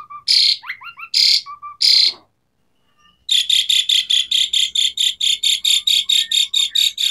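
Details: Asian pied starling with varied fill-in song: three loud harsh screeches mixed with short whistled slurs, a pause, then a steady series of rasping bursts repeated roughly three times a second.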